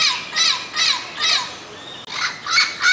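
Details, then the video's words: A Turquoise-fronted amazon gives about seven harsh, raspy squawks, each with a bending, nasal tone, repeated roughly twice a second with a short pause midway. "O Canto do pássaro Papagaio verdadeiro"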